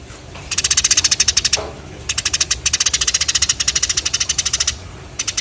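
Tree sparrow giving rapid, bright chirps in fast regular bursts of about ten notes per second, each run lasting one to two seconds with brief pauses between.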